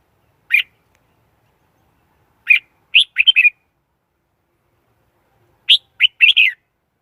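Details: Red-whiskered bulbul decoy song, played as a lure to trap wild birds, recorded clean without background noise: a short note, then bursts of two to four bright, warbling chirped notes separated by silent pauses.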